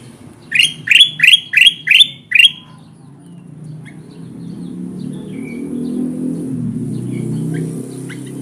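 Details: Kutilang emas bulbul giving a lure call meant to attract wild birds for trapping: six evenly spaced, upslurred chirps over about two seconds, followed by quiet with faint distant chirps and a low background rumble.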